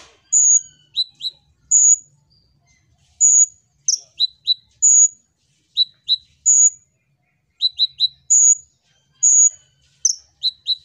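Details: Kolibri ninja, the olive-backed sunbird, giving lure song to set other birds singing: long piercing whistles alternating with paired sharp chirps, repeated in short phrases every second or two.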